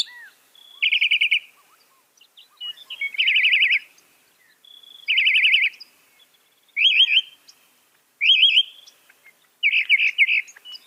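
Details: Northern mockingbird, mimic of some 200 sounds, repeats short trilled phrases roughly every one and a half seconds, each a rapid rattling burst, later ones shifting into zigzag whistled loops.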